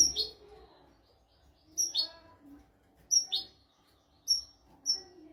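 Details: European goldfinch tutor recording for teaching goldfinches and canaries, royal style: short separate high phrases, each a sharp clear whistle dropping into a brief buzzy twitter, coming about once a second with quiet gaps between them.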